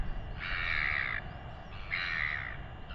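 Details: Royal albatross chick in New Zealand being fed by its father during a weighing: two drawn-out, hoarse, buzzy begging calls roughly a second apart, with faint wind rumble underneath.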